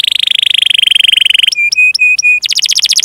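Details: Continuous, lively canary song meant for tutoring young birds and reluctant singers: an even, fast rolling trill, then four separate clear whistled notes, then a quick run of sharp descending chips.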